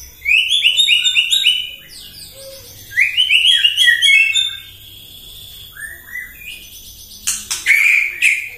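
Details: White-rumped shama in non-stop morning song, a lure to provoke other birds: fast repeated bursts of bright rising whistles, a pause, then harsh high notes and a loud closing whistle.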